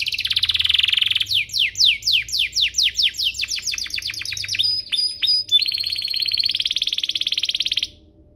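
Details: Canary song offered as master material for young canaries and to trigger singing: a buzzy rolled tour, about a dozen rapid downward sweeps, thin high whistles and a long, even buzzy trill before stopping.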